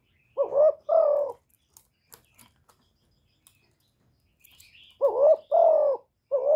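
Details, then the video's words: Kept decoy spotted dove, recorded cleanly for rousing other doves to call; paired coos, short rising note then longer drawn-out falling note, given twice with faint clicks between and a third phrase starting at the end. "Cu gáy hạp bổi {GÁY GỌI+THÚC+KÈM+GÙ khống} kích bổi hiệu quả. Cu đất gáy, tiếng cu cườm. Cu gáy mồi"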